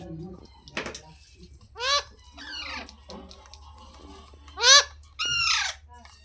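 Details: Talking parrot at home, mostly quiet murmuring broken by two sharp, loud screeches with falling tone and a shorter rasping call at the end. Faint background chatter throughout.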